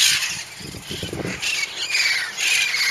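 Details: A flock of wild green parrots in Covina gives harsh, screechy, overlapping squawks in a rough, continuous chatter at their regular evening time, around 7:08, with faint low sounds underneath.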